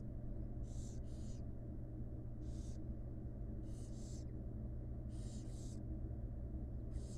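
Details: Wild barn owl young beg during feeding by their mother in a nest box, giving harsh hissing snores mostly in doubled pairs, separated by short pauses, against a continuous low hum.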